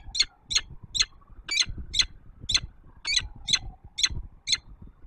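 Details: Calling female peregrine at a high-rise nest in Warsaw, Poland, dawn, 19 September 2024, just before she leaves; roughly ten harsh, scratchy calls spaced about half a second apart, steady and loud, over a faint wavering siren and traffic rumble.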